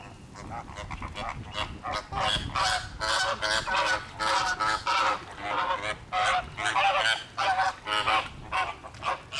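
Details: Caribbean and Greater Flamingos in a loud flock where fights break out; dense, overlapping nasal goose-like honks come in rapid harsh bursts about once a second, forming a constant clamour.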